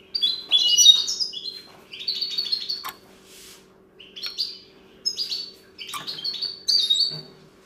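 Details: Common linnet taught the goldfinch's song sings short, bursting phrases of high, liquid twitters and trills, each about half a second long and separated by brief pauses, with a faint steady hum behind.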